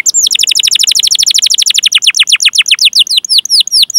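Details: Canary 'cuit cuit' chirping used to prompt young canaries to sing: a fast series of sharp downslurred high notes that gradually slows and spreads out over four seconds.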